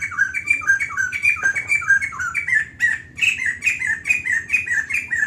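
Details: Sustained song of a White-crested laughingthrush: steady streams of bright, squawky, down-slurred notes delivered in quick succession without pause, over a soft low-pitched hum.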